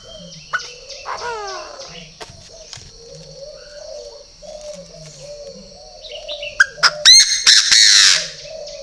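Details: Loud, rasping call of a purebred Chinese francolin: rapid clipped notes building into a harsh, broad burst in the final seconds. Steady low dove cooing and a descending squeaky note come before it.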